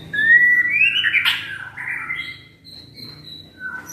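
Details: White-rumped shama kept as a house bird, never in competitions, giving a rising whistled phrase with a harsh burst, then softer drawn-out whistles over a low steady background hum.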